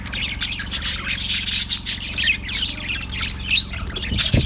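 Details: Chirping yellow budgie, recorded February 18, 2024: loud, rapid chattering squawks and short whistled notes tumbling together continuously, with a constant low hum underneath and a brief thump near the end.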